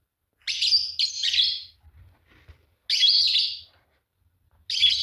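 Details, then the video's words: Fischer's lovebirds, a green pair, with a doubled scratchy shriek followed by single harsh high chirps after pauses of nearly two seconds; faint low background noise. "Lovebird singing and chirping sound, green fischer pair"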